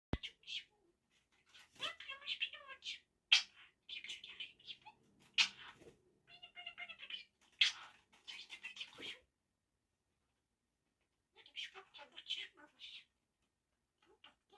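A budgerigar chatters in fast, scratchy bursts of high warbling notes broken by brief pauses.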